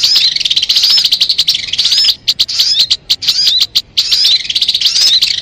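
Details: Crimson sunbird (sogon), recorded as a bird lure, gives fast, high, sizzling trills with thin curved whistles, interrupted midway by a run of spaced dry ticks before the trilling resumes.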